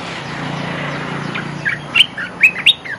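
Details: Olive-winged bulbul lure song: after quiet hiss, a short phrase of bubbly notes ending in three loud, bright upslurred chirps.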